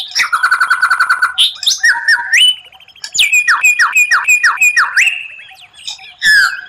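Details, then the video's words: White-rumped shama (murai batu) tutor song with rare phrases said to impress rivals: dense rattling trill, stepped rising whistles, then a series of six sharp downslurred notes over a steady whistle, ending in a loud chirp. "Masteran murai batu tembakan langka, suara aneh tapi memukau lawan"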